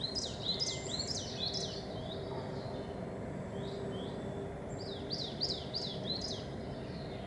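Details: Coal tit singing in spring: bright, high two-note phrases repeated rapidly in bursts, a pause, then another run. A steady low hum is in the background, with great tits and chaffinches also present.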